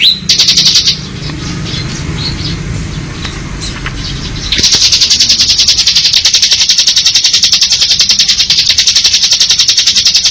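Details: Ngebren song from a bar-winged prinia: a brief burst of rapid high pulses, a few seconds of quiet hum, then a sustained, even, machine-gun-like buzzy trill to the end.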